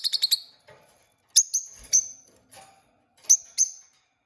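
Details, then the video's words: Peach-faced lovebird from a newly kept pair, a quick burst of four high chirps, then spaced sharp, shrill squeaks in small clusters, with short silences between. "Cute Peach-faced Lovebird Singing & Chirping Sounds"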